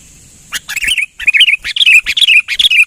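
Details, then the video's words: Sooty-headed bulbul lure call of the persistent, highly vocal type, given as a rapid run of sharp chirps and bubbly, warbling notes, several per second, in lively bursts over a faint steady high hiss. "TIPE PIKAT KUTILANG GACOR MAIN NGOTOT"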